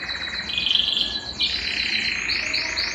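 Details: Belgian canary song meant to warm up a quiet canary: a sustained bright trill, a brief pause, then a rolling lower trill under quick high rising notes.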